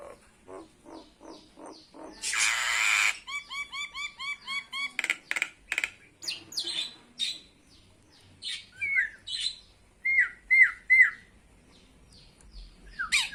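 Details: Myna bird giving its greeting amid a mix of short clicking chips, a brief rushing hiss, quick chirped note strings, and a few clear up-slurred whistles near the end.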